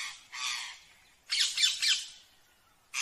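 Rose-ringed parakeet giving harsh, raspy screeches in three short bursts, the middle one a rapid run of downward-sweeping notes.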